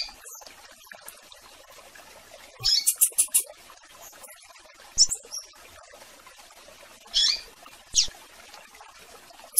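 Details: Double-collared seedeater (coleiro) singing to call a female, with a blue-black grassquit (tiziu) also present; high, sharp notes in a quick burst of five near the middle, then isolated high chirps and short buzzy notes over quiet background.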